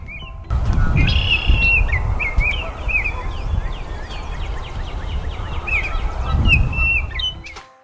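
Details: Baltimore oriole (Icterus galbula) song: a rich, flutey whistled phrase, then quick chattering notes carrying on for several seconds, over a low rumble and soft background music; Baltimore Oriole.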